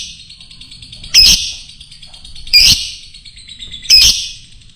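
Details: Fighter lovebird sound used as a lure to stir up other birds: three shrill, harsh, broadband bursts about 1.4 seconds apart over a steady high hiss and low rumble.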